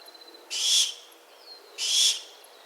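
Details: Two loud hissing shrieks from a barn owl, each roughly a third of a second, separated by just over a second of quiet with a faint steady high tone behind.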